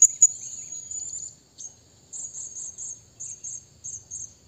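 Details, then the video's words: Shrill, thin calls of a Blue-crowned hanging parrot calling a rival: an opening sharp squeak, then rapid high twittering notes in evenly spaced short bursts. "burung serindit bunyi memanggil lawan"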